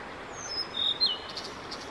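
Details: Blue-and-white flycatcher male in full song, May 5, 2022, singing for around fifteen minutes: a high rising whistle sliding into a level note and a quick downward slur, followed by faint buzzy insect-like pulses.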